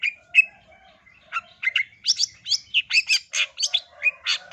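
Long-tailed shrike giving a varied run of sharp, high chirps and scratchy notes, quickening into dense bursts about three a second toward the end.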